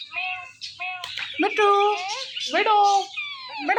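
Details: Morning calls from a pet male and female Indian ringneck parrot pair perched by a door: rich, harsh, harmonic squawks and chattering, speech-like phrases that rise and fall, overlapping in quick exchanges.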